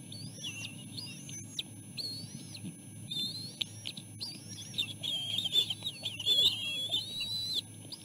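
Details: Three bald eagle eaglets in the nest during a feeding by their mother; a run of high, squeaky whistles and chips that grows busier and more continuous toward the end, with a faint low hum underneath.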